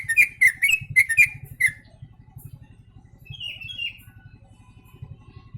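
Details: A yellow-vented bulbul mimicking the sooty-headed bulbul. It opens with a loud burst of quick repeated chirps, then falls silent before two softer slurred whistles, with a constant low throbbing hum throughout.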